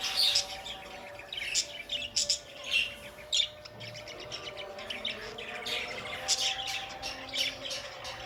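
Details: Pet budgerigar chatter: a dense run of thin, rapid tweets and raspy squeaks, loudest early on and then softer, with low sustained music tones in the background.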